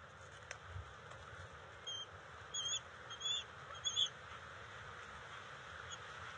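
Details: Juvenile bald eagles at their nest during eel and fish deliveries, June 29, 2021, with a scuffle over food. A short run of four or five high, thin piping notes, repeated about every half second, against constant hiss.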